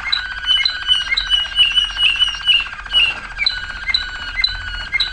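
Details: Waterslager canary producing a continuous song of quick, liquid, water-like notes repeated in steady pulses over an underlying rolling trill.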